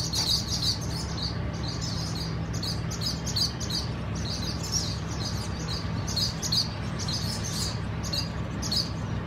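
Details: Many swallows at a nesting colony give a continuous chatter of short, high twittering chirps in quick overlapping bursts, with a constant low mechanical hum underneath.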